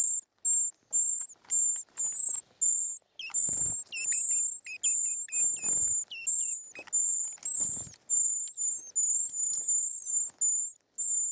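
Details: Short-toed treecreeper chicks begging while fed in the nest: continuous very high, thin, hissing-whistled notes in rapid strings, each lasting about half a second, with a few lower rising chirps and soft rustling knocks at the nest.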